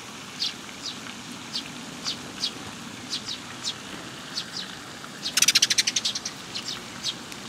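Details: Young sparrows coming for food at a Tenmangu shrine on 18 May 2021. High, thin chirps repeat about twice a second, then a quick rattling burst of chirps, over a low, steady background hum.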